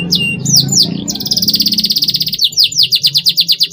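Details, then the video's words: Canary 'cuit cuit' song used to stimulate young canaries into lively fighter-style singing: high slurred whistles sweeping downward, then a fast buzzy trill and evenly repeated chirping notes, about six per second, over a low background hum. "CUIT CUIT PERANGSANG TROTOL AGAR MAU BUNYI GACOR FIGHTER | ajudan kenari"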